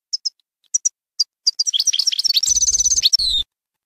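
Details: Goldfinch singing baynam ghazarat style as a tutor song for fledglings: a few spaced, bright high chirps build into a fast, continuous twittering run of rapid notes with trills, a faint low hum beneath the final part.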